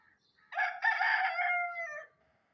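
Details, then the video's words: Morning crowing of an Aseel rooster: a single loud, strained crow lasting about a second and a half, opening with a rough burst, then holding steady and falling slightly in pitch at the end, against a quiet background. "Aseel rooster crowing"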